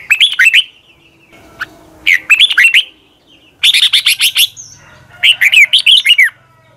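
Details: Red-whiskered bulbul, morning singing training in a double-voiced, long twisting style: four lively phrases of rapid, liquid whistled notes that rise and fall, coming roughly every one and a half seconds with short pauses.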